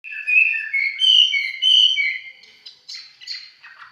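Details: Red-whiskered bulbul of the 'mộc chiến' type, close up, singing casually: bright warbled whistled phrases, about one and a half per second, sliding between notes, then softer, scratchier notes toward the end.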